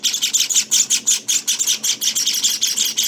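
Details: Java finch chicks, nineteen days old, give bright, hissing chirps in a quick repeated chain, some carrying a brief whistled note on top.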